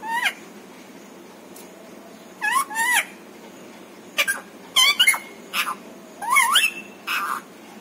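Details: Pet parrot talking, known to say papa, mummy and Radhe Radhe; paired wavering syllables and brief squeaky notes scattered through a quiet room, repeated several times.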